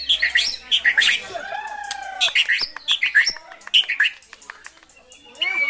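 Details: White-rumped shama in full song, its material including brantakan fill: bright chirped notes in quick clusters, a pair of long descending whistles, then more rapid sharp chirps repeated in bursts.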